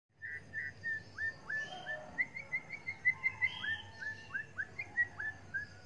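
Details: White-headed munia in full song, its repertoire filled with imitations of canary and oriental magpie-robin; short clear whistled notes, each slurring up or down, delivered about three per second in a steady chattering run over faint low background hum.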